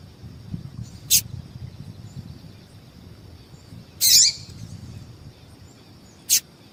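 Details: Female yellow-bellied seedeater calling to excite males, used by keepers of tournament songbirds; three short, very high chirps spaced irregularly over several seconds, the middle one a longer buzzy burst, with faint low background hum.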